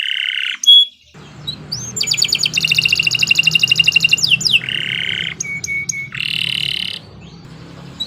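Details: Canary master song for training contest birds: lower buzzy rolls alternate with a dense high rattling trill and a few sharp clipped notes, over a faint low background hum.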